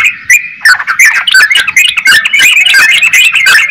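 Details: Yellow-vented bulbul, trucukan, singing loudly: a short steady note, then a rush of tumbling, gurgling whistles and clicks that builds into a dense chatter.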